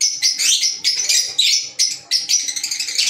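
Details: Green Fischer's lovebirds (African lovebirds) giving continuous high, shrill twittering in rapid choppy bursts, with brief dips between phrases.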